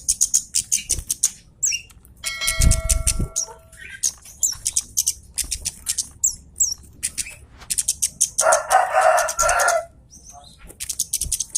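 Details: Javan cochoa used as a lure to provoke a rival: rapid bursts of sharp, high 'citt' notes, many per second in clustered series, with a brief low harmonic tone and a noisy rustling burst between them.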